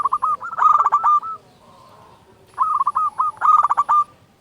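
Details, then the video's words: Local zebra dove, loud-voiced, recorded as a lure to stimulate doves to sing, gives two phrases of quick, stammering cooing notes, each about a second long. "Perkutut lokal gacor SUARA BESAR pancingan burung perkutut agar bunyi"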